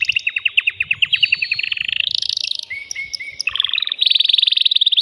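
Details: Male canary in full song to prepare a female for mating: quick repeated trilled notes, buzzy high tours, a lower warbled stretch and another fast rattling trill.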